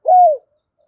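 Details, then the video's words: A single short spotted dove hoot, mellow and steady, bending downward at the close, from a call meant to stir a decoy bird; clean, with silence afterwards. "tieng cu gay kich boi nhanh noi/ Thúc gáy gọi căng lửa dùng kích bổi"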